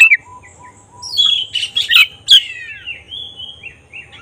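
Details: Oriental magpie-robin of the black-breasted kind in full song, played to stir other birds into emotion and tail opening: short whistles, a dense burst of rich warbling notes, then long gliding whistled phrases falling in pitch.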